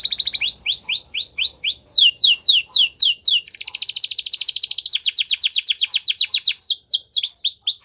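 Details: Training song of a Gloster canary, a quick series of upswept whistled notes repeated several times a second, then a dense buzzing trill, a rolling rattle, and more rising chirps.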